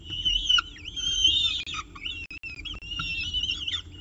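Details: Peregrine falcon at its nest at CSU Orange with a pigeon caught for breakfast, 24 October 2018, 7:59 am; loud, rising and falling whistled wails with rich overtones, some brief breaks between calls.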